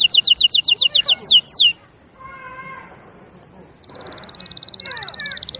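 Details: Singing canary: a rapid run of bright repeated notes and two sweeping whistles, a brief quiet gap with a faint soft tone, then a fast, even high trill.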